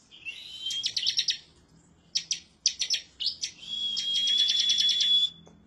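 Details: Bar-winged prinia in excited song while seeking a rival: a rising whistle, then clusters of sharp chirps, ending in a long, steady, high whistled trill.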